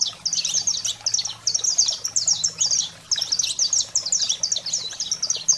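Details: Energetic saffron finch singing, meant to fire up canaries: strings of sharp high chips and down-slurred notes in rapid clusters, a short pause near three seconds, then more bursts; soft low hum underneath.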